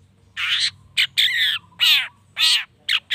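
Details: Long-tailed shrike provoking rivals to sing, giving loud, rasping churrs about a third of a second long, some with falling harmonic tones, repeated roughly every half second, over a low background hum.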